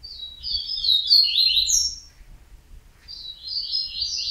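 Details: Rapid high twittering song of a yellow-bellied seedeater (coleiro baiano): a warbled two-second phrase, a short pause, then the phrase begins again, over a quiet background.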